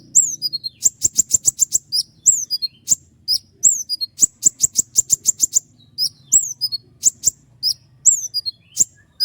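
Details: Common iora in vigorous sharp 'tembakan' song: rapid rattling runs of high clicking notes, about ten per burst, alternating with piercing downslurred whistles, delivered almost without pause.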